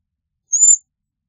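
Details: Cedar waxwing giving a single very high, thin, hissing whistle lasting about a third of a second, slightly rising then level, against complete silence.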